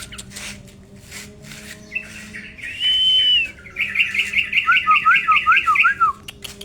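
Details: Tame yellow-vented bulbul kept in an aviary gives a long steady whistle, then a fast chattering series of bright warbled notes with dipping looped phrases; a low steady hum sits underneath.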